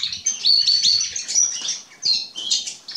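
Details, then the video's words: Short stretch of canary song from young Atlantic and domestic canaries of spring 2020 in Remscheid: clear whistled notes and quick high chirps in rapid phrases, with a short break near the second second. "Kanarengirlize und Kanarienvögel Singent Sound"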